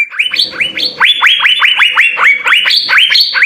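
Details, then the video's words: Asian fairy-bluebird in full, vigorous song, kept as a tutor recording for training songbirds; a fast run of loud whistled notes, each swooping up then levelling off, about two per second, with a low murmur early on. "Hargacor suara 6 CUCAK BIRU GACOR full isian SI BURUNG SURGA"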